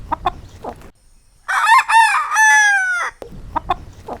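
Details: Rooster gives a full crow about a second and a half long: a broken opening, then a sustained, even tone that drops at the end. Scattered soft clucks come before and after.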